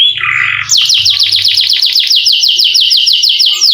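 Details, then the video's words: Canary's long roll meant to lure quiet canaries to sing: a low warbled note, then a quick unbroken string of ringing downslurred notes. "KENARI GACOR NGEROL PANJANG COCOK UNTUK PANCINGAN BUNYI BURUNG KENARI YANG MALAS BUNYI!!!"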